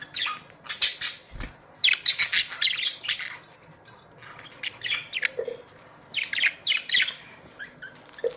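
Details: Colony of Australian budgerigars producing steady, rapid bursts of high, buzzy and squeaky chatter, notes tumbling over one another with short breaks.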